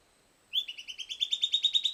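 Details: Silvered antbird singing after playback of a recording: after a short silence, a rapid series of bright, buzzy whistled notes begins, steady in pitch and growing slightly louder, about a dozen notes in under a second and a half.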